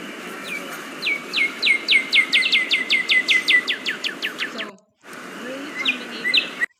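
A Northern Cardinal sings a fast run of clear, downslurred whistles, about four per second. After a brief pause, a second cardinal answers more faintly in the background.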